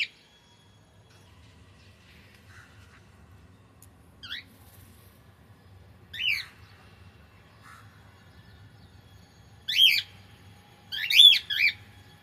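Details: Pet cockatiel: after a quiet start over a low hum, thin squeaky notes grow into three loud, scratchy screeches near the end.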